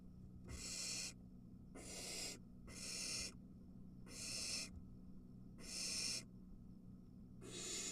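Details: Barn owl at the nest as an adult arrives with a mouse and one of three nestlings grabs the prey; broad breathy hisses about 0.6 s long, repeated roughly every second, over steady low hum.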